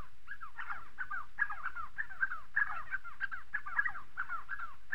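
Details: Spotted sandgrouse calling in a flock in southern Morocco: rapid, overlapping liquid chuckling notes, mid-pitched and nearly continuous, over a low background rumble.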